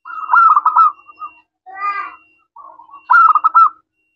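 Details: Local zebra dove with a crystal-clear voice, used as a lure to prompt replies: a loud rapid string of beaded coo notes, a brief harsher call, then a soft murmur and a second rolling phrase.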